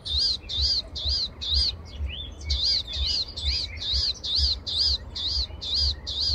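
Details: Palestine sunbird tweeting in the morning: a steady series of short, high rising-and-falling notes, about two per second, with a brief irregular break midway, over a low rumbling background.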